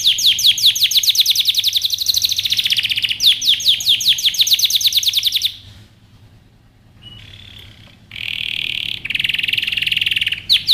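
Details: Canary singing rapid trills of repeated high sweeping notes, several per second. Brief pauses break the trills, then a near-silent stretch, then dense buzzy rolling trills resume.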